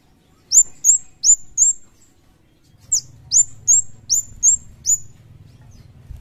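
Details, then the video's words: Lively Javan kemade (cigen) song sounding as in the wild: two runs of four to seven piercing, high downslurred chirps at a quick, even pace, over a soft low hum in the second half. "Suara Kemade Jawa/Cigen Gacor Seperti Dialam Liar"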